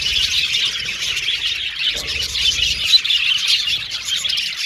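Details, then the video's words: Pet Australian budgerigars, a flock chirping, whistling and chattering together in a continuous dense high-pitched warble with no pauses, many overlapping voices. "Australian Budgies Birds Singing & Chirping Sound"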